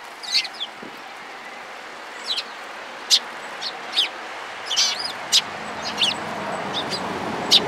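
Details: Sparrows visiting a cherry tree at a Tenmangu shrine on 24 March 2023, giving short, sharp high chirps scattered irregularly, singly and in small pairs, over a steady low hiss.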